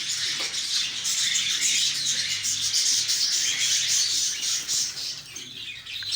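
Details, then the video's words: Lovebirds giving a dense, continuous high chattering of squeaks and chirps, loud and unbroken for about five seconds before easing off near the end. "طيور الحب"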